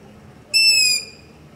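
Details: A long-eared owl's begging call in night-time darkness near a house, Zoom H5 and LOM Usi Pro recording: a single loud, drawn-out, high rasping screech of about half a second, slightly sliding downward, in otherwise quiet surroundings.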